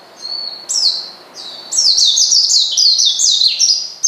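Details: Oriental white-eye calling a rival to provoke and agitate it: a long thin high whistle, then a fast run of sharp, slurred, descending chirps packed closely together, very high-pitched and bright.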